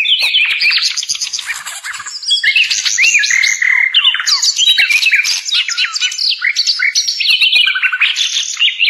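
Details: Sikatan londo flycatcher pouring out a dense, energetic warble for captive-bird training: quick, varied whistled slurs and chips, loud and continuous throughout.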